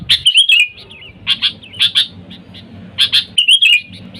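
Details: Bulbul luring sound of a sooty-headed bulbul calling wild birds: a gurgling warble, then paired sharp clicks spaced about half a second apart, closing with another liquid downward phrase.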